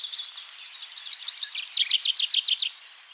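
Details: Tree Pipit singing in Bakkum, the Netherlands: a fast accelerating series of about twenty sharp, high repeated notes, the later ones drawn out into clear descending strokes, ending abruptly; faint background bird calls.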